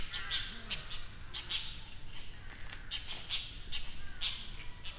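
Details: Wild dollarbird in Kangwon-do, South Korea: a series of brief, scratchy, chattering notes, some doubled, repeated roughly every half second to second against constant low-pitched background noise.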